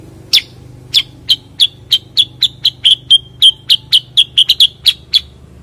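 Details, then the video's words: Cucak kurincang bulbul, locally also kutilingang sutra or kuniran, giving a steady run of about seventeen short, sharp high chips that quicken toward the middle, with a faint low hum beneath. "kicau cucak kurincang"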